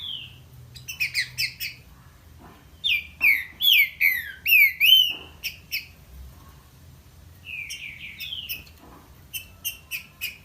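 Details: Trinca-ferro, the green-winged saltator, delivering strong whistled song phrases of repeated downslurred notes, some sharp and clipped, separated by short gaps over a low background hum.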